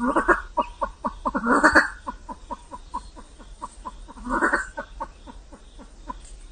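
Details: Vietnamese pheasant calling: short, dry clucking notes, each sliding downward, repeated about four times a second in a steady run, broken by two louder, harsher bursts of overlapping calls.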